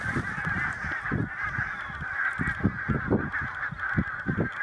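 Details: A flock of barnacle geese, October migrants through Denmark, gives a constant chorus of short, sharp yapping barks, many birds calling over one another in a dense, overlapping din.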